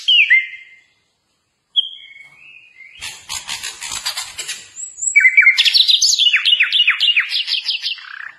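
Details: Sikatan londo flycatcher masteran for captive-bird training: a few separate whistled slurs, a brief noisy rustling burst, then fast repeated downslurred notes and chips.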